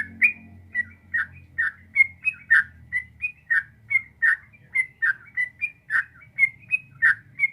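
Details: Long rapid 'ropel panjang' song of a sooty-headed bulbul in full voice, meant to prompt a caged bird to reply: a steady chain of short, liquid, warbled whistles, each note rising or dipping, delivered briskly without pause against quiet low background rumble.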